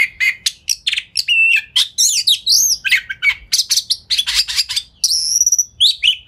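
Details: Lure song of an Oriental magpie-robin (kacer), sung fast and dense with tail spread so other magpie-robins answer; unbroken torrent of clicks, warbles and upswept whistles, with a sustained high whistle near the end.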